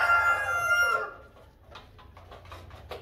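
A Light Columbian Brahma rooster ends a harmonic-rich crow, a held note that drops at the finish, followed by soft clucks and scratchy rustling.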